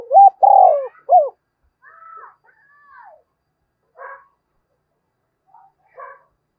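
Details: Spotted dove cooing to provoke a rival: one loud three-part phrase, a wavering opening note, a long hoarse coo and a short falling final note, followed by faint scattered chirps of other birds.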